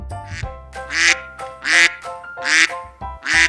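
A duck gives four harsh, nasal quacks, each lasting under half a second and spaced roughly a second apart, over a steady background of music.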